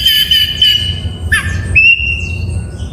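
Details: Oriental magpie-robin song used to rouse silent magpie-robins: long, steady, harsh-edged whistled tones, a quick downward drop at mid-point, then a higher sustained note, with low background hum.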